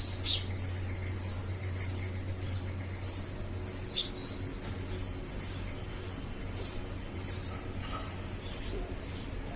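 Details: Indian house sparrow at a house, examining a handmade coir artificial nest to decide whether to adopt it; short high chirps repeat about twice a second throughout over a steady low hum.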